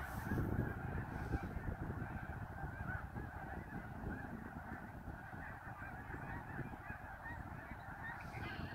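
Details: Massed snow geese at Middle Creek, February 23, 2019: an unbroken wall of honking from many birds, harsh overlapping calls blending into a steady din.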